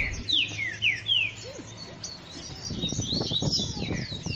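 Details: Green-winged saltator singing in the morning: loud clear whistled phrases, several sliding downward in quick succession, then fainter overlapping whistles with low rustling and thumping noise below.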